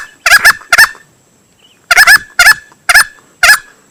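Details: Male green junglefowl lure sound used for hunting: loud, harsh, clipped double notes in short bursts, a pause near one second, then single and paired notes about twice per second.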